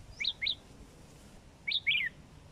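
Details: Two pairs of bright, rising-and-falling whistled notes from a kept sooty-headed bulbul more than four months old, clear against a quiet background.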